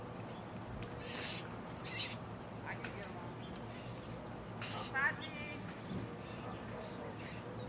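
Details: On a warm spring afternoon, a mother Northern mockingbird brings food to three nestlings in a small pink dogwood tree in a front yard. Thin, high chips and squeaky bursts come about one a second over a steady high-pitched whine.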